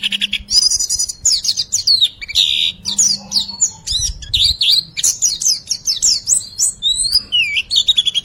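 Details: White-eye singing a fully filled 'riwikan' style song, used as tutor material to lure silent birds into singing: rapid high twittering with sweeping whistled notes and buzzy bursts, nearly continuous, with a faint low hum beneath.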